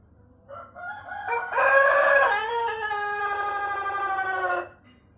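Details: A maturing Pelung rooster, whose crow grows longer and more melodious with age, gives one long crow: a short rising opening, then a loud, harmonic-rich note held and slowly falling for about four seconds.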